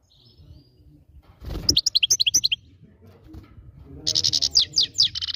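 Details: A goldfinch delivers quick clusters of high, tinkling notes, first a rapid twittered phrase, then a denser, buzzier burst, over a steady low rumbling background.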